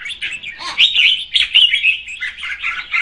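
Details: A female red-whiskered bulbul sings to stimulate the male, a soft, rapid stream of warbling and twittering notes that swells in the middle and runs on without pause.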